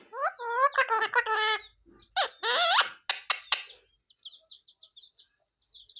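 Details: Pet parrot talking, said to say "sita-ram", "jay shree ram" and "mummy papa": a burst of harsh, voice-like harmonic syllables in quick runs, then two loud clipped words, followed by faint high chirps and ticks in a quiet room.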